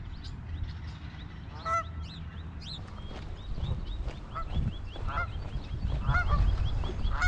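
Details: Canada geese gathered in a protective formation around their goslings at a pond in Michigan in May 2021, giving scattered nasal, harmonic honks among many thin, high peeps over a steady low rumble of wind.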